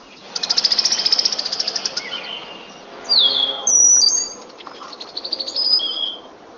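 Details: Brown-headed cowbird (Molothrus ater), song.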